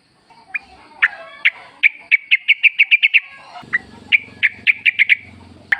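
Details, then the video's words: Yellow-vented bulbul calling clear, ringing chirps in fast repeated series that speed up into close runs. A low humming noise enters midway. The song is used to lure caged birds into answering. "trucuk gacor ngalas full suara alam ampuh buat pancingan agar bunyi"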